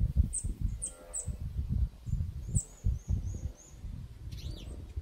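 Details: Hungry Eurasian nestlings in Ljubljana's Žale cemetery, Slovenia, 12 May 2024: thin, very high, short down-slurred chirps repeated every half second or so, over a heavy low rumble of wind or handling noise.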